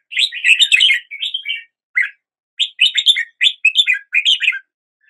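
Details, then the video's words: A red-whiskered bulbul greets the day with chattering, warbled whistles. A dense opening phrase is followed by a single note, then a run of choppy, bright chirps. "Red whiskered Bulbul Song"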